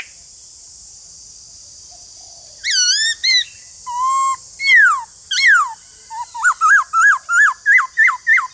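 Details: White-cheeked laughingthrush, a kept bird, played to spur silent birds into song: varied whistled phrases, some level, some steeply falling, then a run of about eight repeated rising-falling notes roughly twice a second, with steady high hiss.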